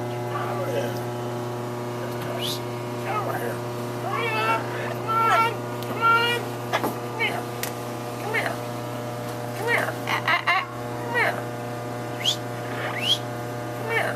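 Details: A pet yellow-naped amazon, over 40 years old, gives wavering, voice-like chatter, then short harsh coughs and sneezes, imitating its owner's cold, over a steady electrical hum.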